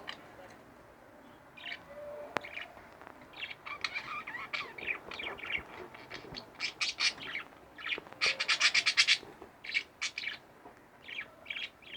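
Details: A pair of domestic budgerigars chatter in bursts of bright, high chirps and rasping trills, building to a loud rapid flurry around the middle before easing into scattered notes.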